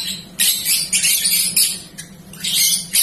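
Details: A young songbird in training rambles aimlessly in a dense, high, scratchy chatter, with bursts every half second or so over a low steady hum.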